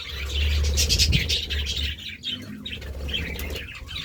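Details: Feeding budgies chirp and twitter in quick, uneven bursts over a strong low rumbling background, with the chatter fading slightly toward the end.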